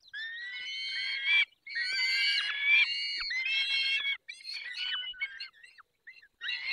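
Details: Peregrine falcon feeding, Barycz Valley, 20 May 2021, 10:22: a rapid, almost continuous run of rasping, harmonic cries with wavering pitch, loud and crowded together, broken by a few short silences.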